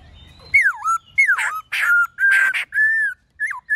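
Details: Forest-style song of a black-throated laughingthrush, many voices: rich whistled notes dipping and rising, several loud harsh level notes in quick succession and a final short downward slur.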